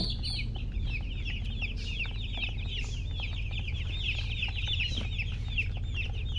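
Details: Several young chicken chicks peeping nonstop, thin high notes that bend downward, crowded and overlapping, above a constant deep background rumble.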